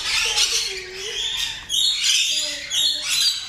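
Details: Rainbow lorikeet (Trichoglossus moluccanus, eastern Australia) giving harsh, grating screeches in four quick bursts, each about half a second long, with a faint low tonal sound underneath.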